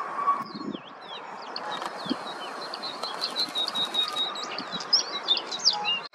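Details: White-spotted bluethroat song, a continuous varied stream of high twittering, slurred whistles and short sharp notes, some rising and some falling, with a faint noisy background.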